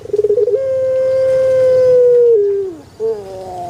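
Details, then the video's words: Single long Pelung chicken crow: rapid stuttered opening notes, then a steady, ringing held tone of nearly two seconds, a falling drawn-out ending, and a softer short note after. "THE BES ORIGINAL SOUND // puter pelung Andalan"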